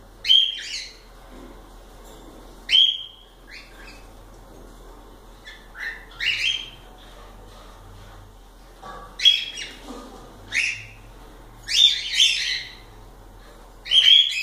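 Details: Pet cockatiels kept indoors give a scattered series of sharp chirps and short whistled squeaks, singly or in quick pairs, every second or two, with a faint hum behind.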